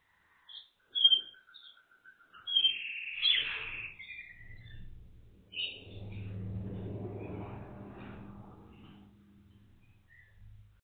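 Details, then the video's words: A Waterslager canary sings high chirps and a quick rolling trill in the first few seconds, then a low rumbling background noise takes over. "kanarki wodnotokowe"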